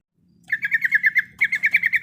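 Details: Sooty-headed bulbul female in breeding condition calling the male: a fast run of about fifteen short, slurred chirps near one pitch, split by a brief pause, with a faint low hum underneath.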